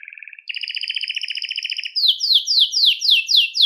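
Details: Belgian canary singing to attract and call canaries, starting with a soft low trill, rising into a louder buzzy roll, then a series of sharp descending whistled sweeps repeated about four per second.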